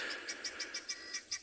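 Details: Helmeted guineafowl at a waterhole in a South African game reserve on an afternoon safari, 22 February 2021, giving harsh, rapidly repeated alarm notes, several per second, as lionesses that look set to hunt arrive to drink.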